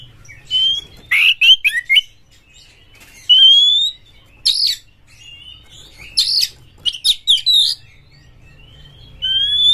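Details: Oriental magpie-robin, an excited champion bird with tail spread, used to set other magpie-robins singing: clear rising whistles alternate with loud harsh bursts and short chattering runs, spaced by brief pauses.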